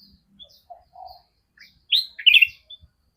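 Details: Ruby-throated bulbul giving an unusual call: a few soft low chirps, then two loud, harsh, slurred bursts late in the sequence, each about a quarter-second long, with short quiet gaps and no other clear sounds.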